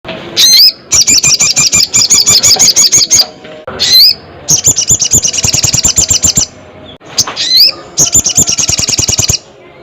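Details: Crested jay in loud, vigorous voice: rapid buzzy rattles of evenly spaced pulses lasting about two seconds each, broken by short rising whistled notes, three bursts in all.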